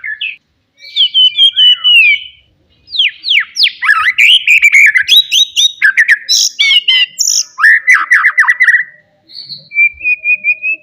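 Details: Loud song of a forest white-rumped shama, used to provoke rival birds: a continuous varied flow of sweeping whistles, sharp chips and fast trills, ending with a steady high whistled note.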